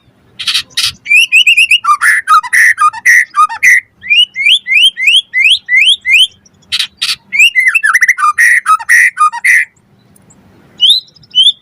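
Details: White-rumped shama singing on a training and lure recording: loud harsh rasping bursts alternating with rising and falling whistled notes in quick series, a fast string of sweeping whistles mid-phrase, then quieter scattered notes toward the end.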